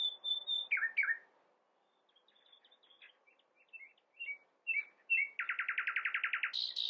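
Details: Nightingale song with varied phrases: steady high whistles, slurred descending notes, soft scattered chips, then a rapid, loud, rattling trill of about a dozen pulses and a final buzzy note.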